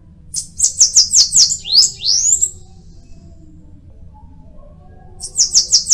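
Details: Two bursts of Bananaquit song: a quick high buzzy trill closing with a rising squeaky flourish, then after a pause another run of sharp thin notes begins.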